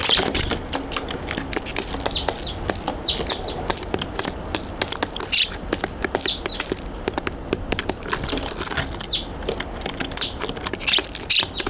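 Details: Eurasian tree sparrows on a balcony, 14 December 2022, one biting, give short, bright chirps in scattered bursts, set against frequent sharp clicks and taps close by.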